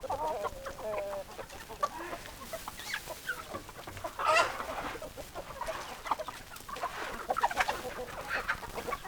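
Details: Hens and roosters in a flock; overlapping clucks and short squawks from several birds, with one louder rising squawk near the middle, over steady background noise.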